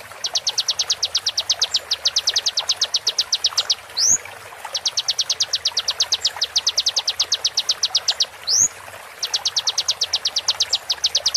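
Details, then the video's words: Slowed konin shots meant to teach songbirds for contests: long trains of crisp, high, descending ticks interrupted twice by a short rising whistled note, then the ticking resumes. "MASTERAN KONIN FULL ISIAN TEMBAKAN TAJAM"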